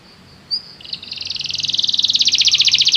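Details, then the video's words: Canary song for training a canary to sing: a short high note, then a fast buzzy trill that begins softly and grows steadily louder, with rapid repeated notes. "o som de atrair seu canário para cantar imediatamente"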